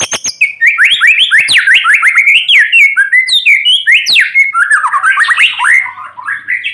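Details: Caged white-rumped shama in full morning song while being sunned, meant to prompt reluctant shamas; a continuous fast stream of rising and falling whistled notes mixed with sharp clicks.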